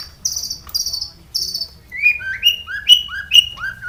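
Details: Long-tailed shrike singing a varied song full of borrowed phrases, a lure to stir captive shrikes into song: three buzzy, high rattling notes, then a quick sequence of whistled notes dropping in pitch and repeated several times.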